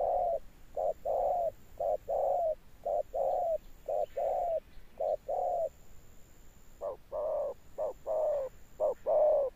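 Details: Spotted dove singing its deep thunder-tone coo: regular low hollow notes in pairs, a brief pause mid-clip, then louder, fuller coos resuming, over a faint constant high-pitched hum.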